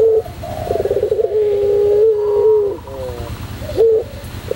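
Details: Long-cooing white Barbary dove (pelung type) singing on a tutor recording. A short coo leads into a throbbing, rolling phrase and then a sustained low hum-like note lasting over a second. The pattern begins again at the end.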